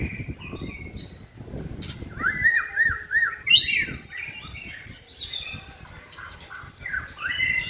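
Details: White-rumped shama being trained to sing, caged: bouncy repeated whistled notes, then louder rising and falling phrases in bursts, separated by brief quieter gaps, with low noise beneath.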